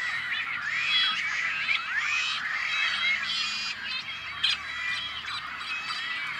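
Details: A dense nesting colony of rare Tricolored Blackbirds on a Central Valley, California farm: many harsh, nasal, twangy calls overlap continuously, several each second, with no other sounds standing out.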